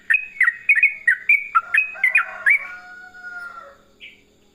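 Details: Yellow-vented bulbul singing: a quick run of about ten loud, bubbly, chirping notes over the first two and a half seconds, trailing into a fading whistled tone, then one brief high note near the end.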